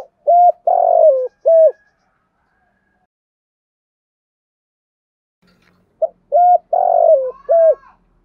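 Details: Female decoy spotted dove calling to excite and attract males, in the 'thổ' voice with a single trailing note. Two bouts of four deep hooting coos, the second coo longest, with about four seconds of silence between bouts.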